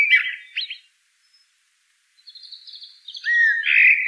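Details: Song of a common blackbird (Turdus merula): fluty warbled notes at the start, a silent gap, then a thin high twitter leading into a full rising whistled phrase.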